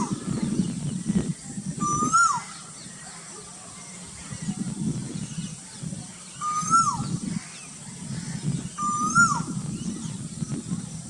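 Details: Cuckoo calling in Burdwan: three clear whistled notes, each a short rising then sharply dropping phrase, spaced a few seconds apart, over constant low rumbling background noise and a steady high hiss.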